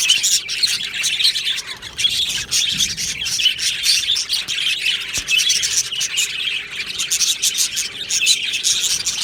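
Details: Aviary colony of budgerigars on 22 June 2025, a steady wall of overlapping high chirps and warbled chatter from many birds, pulsing slightly in loudness but never stopping.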